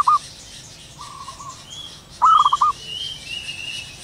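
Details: Wild zebra dove cooing in the morning: a short opening coo, a softer distant stuttered phrase, then a loud rising note breaking into five quick coos; faint high whistles from other birds behind.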